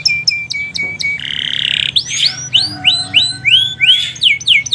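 Canary singing fast, bright notes, then a harsh buzzy burst and a run of rising slurred whistles, about three or four per second.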